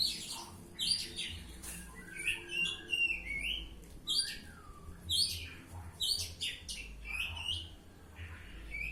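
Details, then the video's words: Kacer (Oriental magpie-robin) delivering ngeplong song: loud varied phrases of whistles and sharp chips, some rising and falling slurs, repeated roughly once a second with brief pauses. "Kacer Ngeplong"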